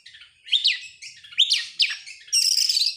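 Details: Brief burst from an excited Oriental magpie-robin opening its tail: a few loud swooping whistled notes in close succession, ending in a high harsh buzzy phrase.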